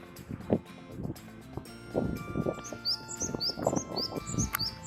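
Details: Japanese tit, a bird known for announcing spring, singing in spring: short hooked high chirps repeated rapidly in the second half, over steady background music with low thumps and rustling.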